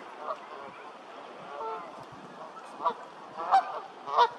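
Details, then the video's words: Canada geese give four loud, nasal honks, spaced irregularly and coming faster toward the end, over a steady murmur of softer goose chatter. "The life cycle of Canada goose ||Birds Songs"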